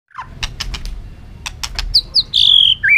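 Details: White-rumped shama, a caged bird (chòe lửa, murai batu) singing to provoke competitive fighting song: a few sharp clicks, then clear whistled notes near 4k sliding down into a long steady whistle.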